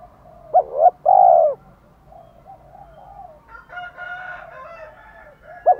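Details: Spotted dove cooing meant to provoke a male: one clear phrase of two quick notes and a longer coo, followed by softer overlapping murmurs and a faint second caller.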